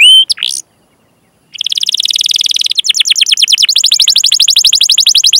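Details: Canary chirps and rolls recorded to lure young, untrained or silent canaries into singing. Opens with a few sharp whistled notes and a pause, then a steady buzzy trill that speeds into fast repeated rolling notes.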